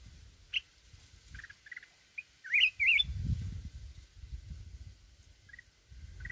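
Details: Mountain red-whiskered bulbul singing in a wild voice: scattered single chirps, then one quick twisting phrase of bright whistles, set against a low rumbling background noise.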